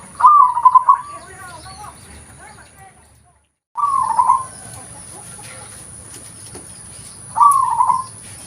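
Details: Zebra dove of a local type, presented as a natural lure sound, giving short trilled coos in separate phrases, with a brief silent break partway through and quiet background hiss.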